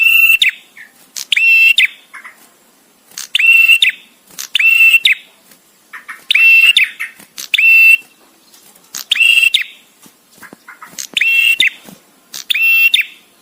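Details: 'Prenjak tamu' song of a male bar-winged prinia, paced with pauses for teaching captive songbirds. About eight harsh, buzzy, layered phrases over thirteen seconds, repeated every one to two seconds, with soft clicks in the gaps.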